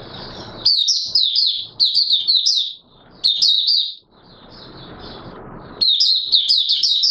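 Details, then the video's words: Cagebird Oriental white-eye singing its 'buka sing' song on 24 March 2022: lively strings of high, rapid chirps and twitters in several bursts, with a longer pause of background hiss midway. "Mata Puteh Raja Video 1 buka sing"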